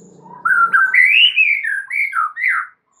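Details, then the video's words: White-rumped shama lure song in full isian style to get other birds singing: a flowing whistled phrase rising then falling in rounded, slurred notes, with faint low murmur at the start. "LANGSUNG GACOR GAK PAKE LAMA DENGAN PANCINGAN MURAI FULL ISIAN INI"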